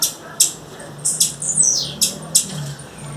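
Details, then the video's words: Female blue-black grassquit calling in natural surroundings: brief, very high squeaky notes and a short buzzy downslurred phrase, with a faint low hum underneath. "Tiziu fêmea, fêmea de tiziu chamando na natureza"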